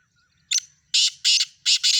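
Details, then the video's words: Mixed call of a Sindhi black francolin: a short scratchy note, a pause, then two pairs of loud, rasping, buzzy notes in quick succession, set against a quiet background. "کالا تیتر کی آواز سندھی تیتر کی مکس آوازیں"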